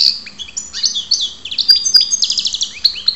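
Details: European goldfinch, a bird known locally as karderina, recorded at Ptolemaida in Greece, sings a fast, high twittering string of bright notes, buzzy trills and sharp clicks with short chirped phrases, over a faint steady low hum.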